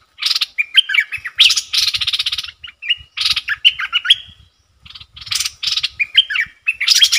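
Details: Decoy bulbul singing and trilling at wild birds: harsh buzzy chattering bursts alternate with quick whistled notes that bend up and down, broken by short pauses, with low thumps in the background.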